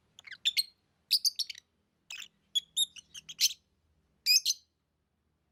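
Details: Lovebird chirps with varied, sliding high notes, some rising and falling, delivered in quick little clusters.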